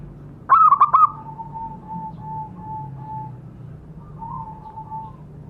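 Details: Zebra dove lure call for getting caged birds to sing: one brief burst of quick, clipped fluty notes, followed by faint, drawn-out soft coos.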